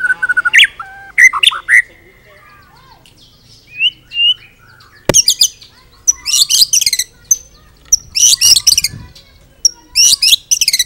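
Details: Full, richly varied song of a White-rumped shama, used as a master recording for training birds: whistled slurs and rising notes early, then dense bursts of high, rasping chatter and rapid trills in clusters.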